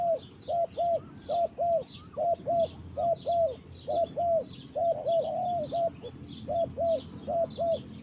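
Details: Forest-dwelling spotted dove cooing: short rounded hoots delivered in pairs and threes, with a brief louder tangled phrase midway, steady throughout, with faint high twittering of other birds behind.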